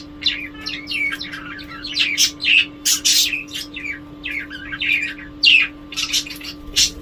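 Budgerigars chatter in rapid, scratchy chirps and warbles, with a steady electrical hum underneath.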